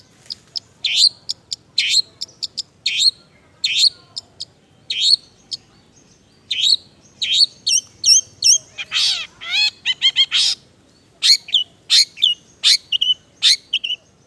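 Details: Long-tailed shrike, Indonesia, singing a semi-active filled 'isian' song: rapid strings of high piercing chirps and clipped whistles, then a burst of harsh rasping slurred notes midway before the bright chirping resumes.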